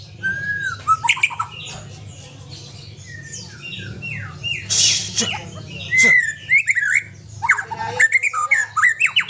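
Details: White-rumped shama, another bird present, delivering rich whistled notes, slurred sweeps and harsh bursts in quick succession, with busy overlapping calls and a constant low background hum.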